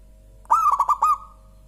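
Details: Local zebra dove giving one clear, soft song phrase: a rapid roll of four throaty coo notes followed by a gently sustained, fading tone against a quiet background.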